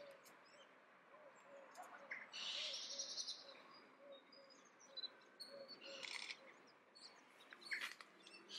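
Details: An adult Icelandic Redwing (Turdus iliacus coburni) in Leiden, the Netherlands, on 15 December 2015, sings softly, a rambling mix of thin, high twitters and chirps with short pauses, over a low steady hum.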